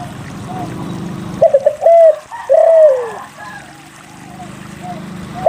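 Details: A spotted dove sings to prompt other doves to call: a cluster of short low coos then a longer falling coo, over a constant low rumbling background noise.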